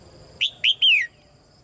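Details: Chirping calls of a red-whiskered bulbul, used to stimulate male singing: three quick bright notes, the first two short, the last longer and slurring downward.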